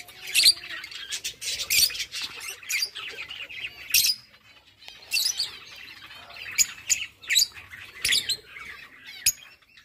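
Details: Mating lovebirds give sharp, piercing high chirps and rasping squeaks in quick clusters, each loud note standing out, with short quiet gaps between groups.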